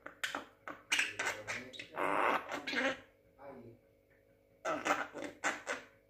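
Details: Young Javan myna, six months old, imitating human speech indoors: chattering, voice-like syllables in bursts with harsh broadband notes, then a pause and a further run of talk-like sounds.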